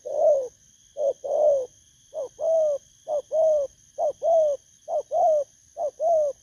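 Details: Newly caught spotted dove in a cage in Vietnam, 19 August 2024. It repeats hoarse low coos in close pairs, a brief note then a longer wavering one, nearly once a second, against a faint continuous whine.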